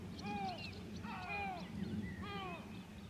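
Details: White-tailed eagle at Grönvik, Ornö, on 16 July 2024, giving three short groups of falling, yelping notes with rich overtones, spaced roughly a second apart, against faint low background noise.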